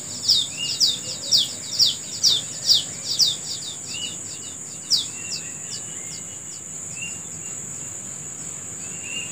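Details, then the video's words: Morning bird chirping outdoors: a fast series of high, downslurred chirps, about two a second, that stops after roughly five seconds. A few soft lower notes follow under a steady shrill insect drone. "Menikmati Suara Burung Di Pagi Hari"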